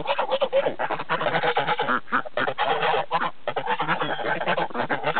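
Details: Geese on a farm in Lyndeboro, New Hampshire, calling together in a dense, continuous chorus of nasal honks that overlap throughout, with only brief dips in volume.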